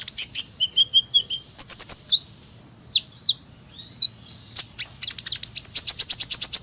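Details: Very high hummingbird twittering: quick chip runs, a couple of isolated sharp down-slurred squeaks after a short pause, then an accelerating series of rapid repeated chips.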